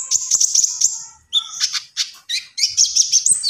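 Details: Common iora singing energetically: rapid high, bright chirps and trills, short phrases separated by brief pauses, then a sweeping, buzzy run of notes near the end.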